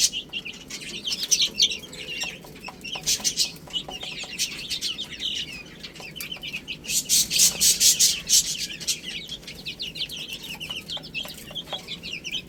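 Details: Young chicks feeding on spinach, giving rapid high-pitched peeps from several birds at once, with bursts of sharp clicking pecks and brief wing-flutter noise around the middle.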